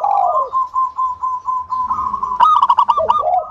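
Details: Local zebra dove song played to coax other doves into singing: an opening falling coo, a steady run of quick pulsed notes, then a louder stuttering burst and a closing coo.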